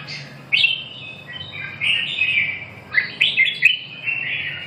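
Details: Red-whiskered bulbul giving short, clear, slurred whistles and warbled phrases in bursts, with brief pauses between them over a low background hum.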